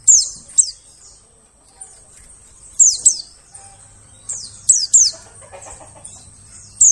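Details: White-eye lure calls for drawing birds in forest: sharp, piercing high downslurred notes, often doubled, repeating in loose bursts with quiet gaps, over a faint steady low hum.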